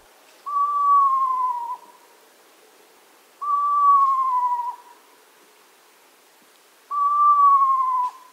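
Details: An Eastern Screech Owl gives its territorial high-pitched, horse-like whinny three times, each wavering call sliding gently downward, about a second long and spaced roughly three seconds apart.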